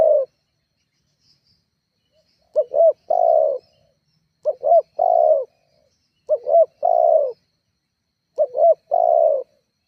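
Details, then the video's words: Spotted dove calling, used as a lure to provoke rival doves and set them calling: low hooted coos in sets of two quick notes and a longer drawn note, repeated about every two seconds, quiet background. "Suara tekukur GACORR menekan emosi lawan"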